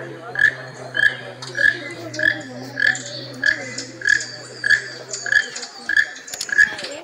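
A keel-billed toucan gives a dry, frog-like croak about every 0.6 seconds, eleven times in a row, over a low steady hum and faint background noise.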